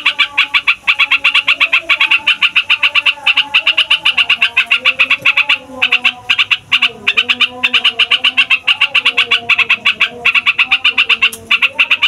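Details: Long rolling song of a fighter yellow-vented bulbul, meant to provoke other songbirds: sustained machine-gun stream of bright notes, about six per second, pausing once near the middle, over soft wavering low tones.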